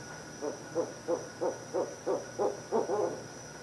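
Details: Barred owl on a brief visit, December 22, 2011, at 5:57 pm: a series of about eight low, muffled hoots evenly spaced roughly every third of a second, ending in a slightly longer, drawn-out note, over faint steady background hum.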